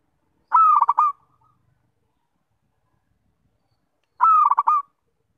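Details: Local zebra dove song: two short cooing phrases about four seconds apart, each a bright steady whistled tone breaking into a quick rolling stutter of notes, in otherwise silent surroundings.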